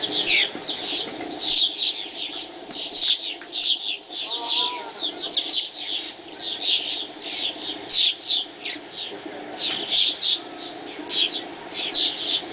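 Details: A flock of swallows at dawn, flying, chatters almost without pause, high twittering chirps overlapping in quick bursts, over a low steady background hum.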